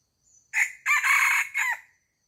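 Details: A chicken on a farm crows loudly: a short first burst, then a prolonged hoarse middle note and a final falling syllable, about one and a half seconds in all, with little else audible.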